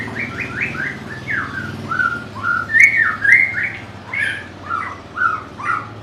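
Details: White-rumped shama, prized by bird keepers for its varied song and mimicry, delivers a rich sequence of short whistled and slurred notes, loud bursts recurring about every second, with a few sharp higher accents.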